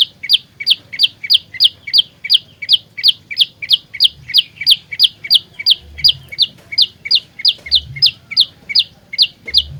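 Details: Olive-backed tailorbird singing a lure song for trapping, fighter style: long unbroken run of brisk, high two-note chirps, each ending in a falling whistle, roughly three each second, with soft low thumps underneath.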